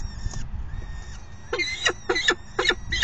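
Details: Falcon at the nest begging at a feeding, 4:40 PM on May 9, 2020: after a quiet start, five loud grating calls come in quick succession over the last half, with faint thin whistles and low background rumble.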